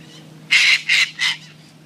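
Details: Wing-tagged sulphur-crested cockatoos playing with a coffee cup at the Royal Botanic Gardens in Sydney give three loud, harsh, raspy screeches in quick succession, the first the longest, over a low steady hum.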